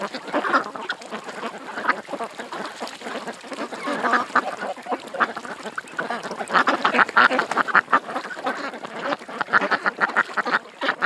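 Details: Crowded duck chorus at a creek: short raspy quacks pile up densely, growing louder and busier toward the end.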